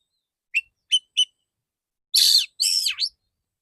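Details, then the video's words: Male white-rumped shama singing with a clear voice: three evenly spaced sharp chirps, then two loud buzzy phrases, the second sweeping down and back up in a deep V. "Terapi burung kacer jantan dor dor tembakan full suara ngeplong jernih"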